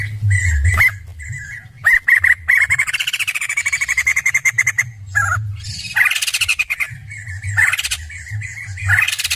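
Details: Poksay jambul, the white-crested laughingthrush, singing energetically: sharp squawks, then an extended fast rattling trill, followed by further harsh chattering bursts and rattles, with a low background hum.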